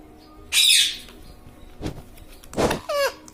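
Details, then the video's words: Pet ring-necked parrot (tota) indoors producing a harsh burst, then noisy rasping notes and a short wavering voice-like call at the end. "Talking parrot - Mitthu mitthu - Mummy Bolne Wala Tota"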